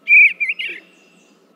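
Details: An Eastern Bluebird (a state bird recording) gives one short, soft warbled phrase of a few mellow, slurred notes at mid-high pitch, lasting under a second.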